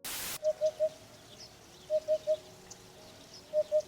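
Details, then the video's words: Eurasian Hoopoe, excited or landing, giving its dull repeated signal that carries far in open spaces: low hollow hoots in tight groups of three, each group repeated about every one and a half seconds, after a short burst of noise at the start. "When the bird is excited or lands, its voice sounds like a dull repeating signal."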